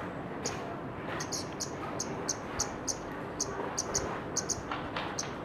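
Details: Calling scarlet-backed flowerpecker: a series of brief, very high-pitched tick notes, often doubled, repeated every few tenths of a second against a low, constant background hum.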